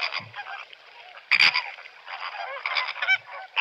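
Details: Greater flamingo calls at a lower level: soft background gabbling broken by a loud, abrupt honk burst early on, then more nasal, goose-like notes building toward the end.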